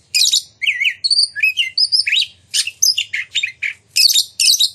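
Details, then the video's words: Loud, varied song of an Oriental magpie-robin, played to stir other magpie-robins into song and display, mixing slurred whistles, buzzy squeaks and sharp clipped notes in rapid bursts. "Pancingan Kacer Gacor Ngeplong Nembak! Buat Kacer Lain Ikut Buka Ekor Keluar Isian"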